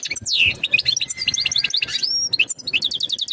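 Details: European goldfinch singing a mating call for breeding readiness of the female; a falling whistled slur, then fast tinkling twitters, a drawn high note and a closing run of evenly repeated chirps.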